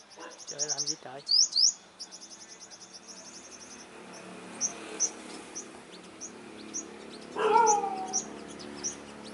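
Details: Olive-backed sunbird facing off with rival lead males at a trap: sharp high upslurred notes and a run of rapid tinny chips, followed by sparse single chirps, with brief low human-like sounds at the start and near the end.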